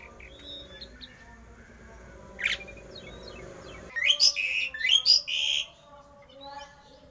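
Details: Javan pied starling's rare odd song, aimed at provoking other starlings to sing: faint scattered whistles and one sharp rasp at first, then a loud burst of harsh, buzzy chattered notes and squawks lasting about two seconds.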